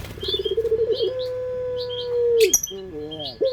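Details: Local Indonesian puter dove, a pet bird, calling as a lure. A tremulous low coo runs into one long steady drawn-out note, then a short wavering coo. Faint high chirps of other small birds and a sharp click are also heard.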